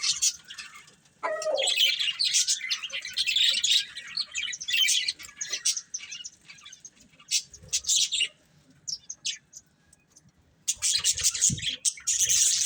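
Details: Colourful budgerigars, a breeding pair, chattering in busy high-pitched twittering bursts, falling silent for about two seconds near the end, then starting up again in a loud scratchy flurry.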